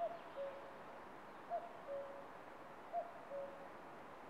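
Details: A common cuckoo calling on a branch in Estonia, recorded by camera trap, gives its familiar two-note cu-coo, the second note lower, repeated about every one and a half seconds over a steady background hiss.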